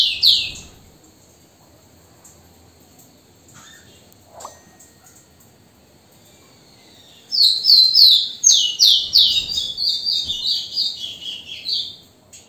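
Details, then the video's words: Rufous-collared sparrow song: after a brief high note and a long quiet stretch, a rapid series of clear high whistled notes arrives near the end, descending slightly in steps over about five seconds, with faint background rustle. "3 Minutos de canto do TICO TICO ligeirinho | zonotrichia capensis"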